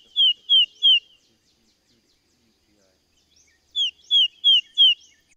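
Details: Tufted titmouse (Baeolophus bicolor), eastern song: clear, down-slurred, repetitive whistled 'peter' notes, three in quick succession, then a pause and four more at the same steady pace.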